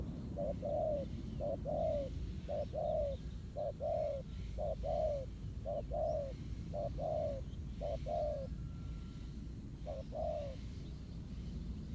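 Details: ["A wild spotted dove, showing a fighter's spirit against a ground-trap decoy, coos in a long steady run of low two-part phrases, short note then longer drawn note, roughly one each second."]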